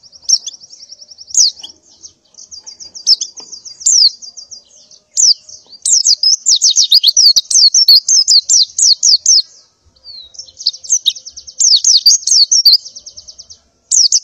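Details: Female white-eye in breeding condition calls males to mate in the morning with long, fast, high-pitched twittering trills of rapid chirps and buzzy runs, broken by one short pause.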